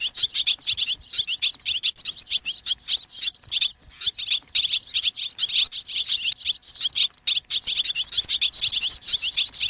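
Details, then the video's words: Many swallows preparing to roost, giving a dense, continuous chatter of high twittering chirps that overlap without pause and swell and fade slightly throughout. "ສຽງນົກແອ່ນ (ສໍາລັບຕໍ່) Tiếng én, Tiếng Chim Én เสืยงนกแอ่น ນົກກຽມເຂົ້ານອນ"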